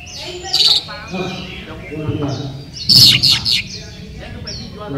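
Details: At a 2018 singing contest in Sri Aman, Sarawak, Malaysia, a caged Oriental magpie-robin gives harsh scratchy bursts interspersed with bright whistled notes, while people talk in the background.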